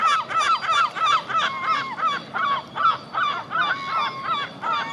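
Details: Herring gull pair with their young, noisy family scene: loud harsh laughing calls repeated about three times a second in steady bursts, each note bending down then up, with rich overtones.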